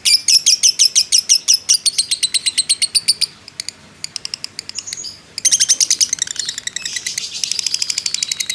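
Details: Lovebird of fighting type in a long 'ngekek' chatter used as bait for other birds: a fast high trill, a two-second lull with scattered faint notes, then a loud, dense return of rapid chips.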